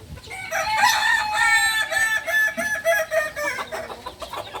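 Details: Beginner Balenggek rooster, native chicken from Solok, West Sumatra, crows for about four seconds in a long rhythmic series of stepped, pulsing syllables, fading into choppier notes, with small birds chirping faintly behind.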